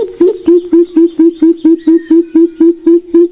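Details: A Greater Coucal gives a steady run of deep, hollow hoots, about four each second and all on one low pitch. This is the call behind its Malay name "bubut".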